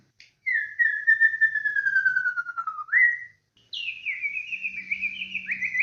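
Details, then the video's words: White-rumped shama singing as a lure recording: a long, slowly falling clear whistle that flips upward, then a higher wavering whistled phrase with quick dips, over a faint steady low hum. "PANCINGAN BURUNG MURAI BATU PALING GACOR AMPUH"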